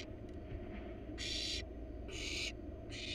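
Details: Wild barn owl nestlings in a nest box as their parents bring in a rat: three loud, breathy hissing screeches about a second apart, following a quieter opening with a low hum.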